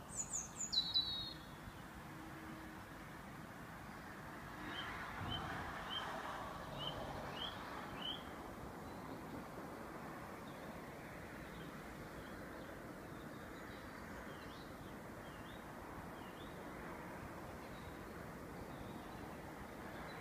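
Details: Evening bird chorus in Epping Forest, with a cat present: a few sharp, high notes, then faint scattered chirps over a steady background hiss.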